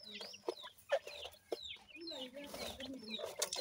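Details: Grey francolin (bhura teetar) chicks feeding, giving short high chirps and thin rising peeps mixed with clucks and soft tapping noises.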